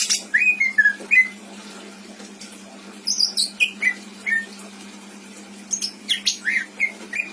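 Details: Caged pet greater green leafbird in Indramayu singing in spaced phrases: slurred whistles, a cluster of higher chirps, then a quick buzzy and whistled run after a pause, with background hum.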